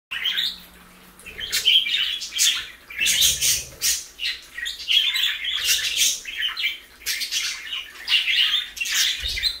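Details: Parakeets eating lettuce chatter in busy bursts of high, scratchy chirps and warbles, with rustling and soft crunching in between.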